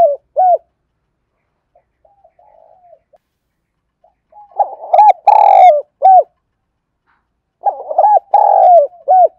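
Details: Decoy spotted dove cooing to lure wild doves: faint soft coos early on, then two loud full phrases of quick stuttered notes, a long sliding coo and a clipped ending, separated by a short pause.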